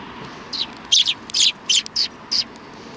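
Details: Sparrows on the front approach of a Tenmangu shrine, 6 December 2019: loud, bright chirps in a quick irregular burst of about seven notes, some doubled, over faint background hiss.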